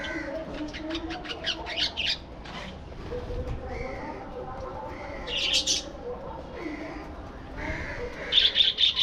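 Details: Budgerigars in a breeding colony aviary, with scattered high chirps and short warbles over a steady murmur of lower, softer calls from the flock, plus a louder burst of chattering near the end.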